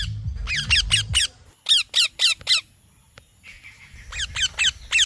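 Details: Parrot chirping in short harsh bursts, each note a sharply falling, buzzy squawk, in runs of four at about four per second, with pauses between runs and a low rumble early on.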